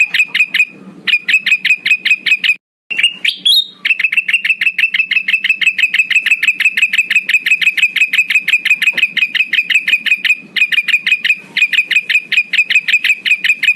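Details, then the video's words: Lure call of a male black-headed bulbul for drawing in rivals: long, fast, steady trains of sharp ticking notes repeated several times a second, broken by a few brief gaps. "Suara pikat burung Kutilang Emas jantan Gacor paling ampuh buat memanggil lawan"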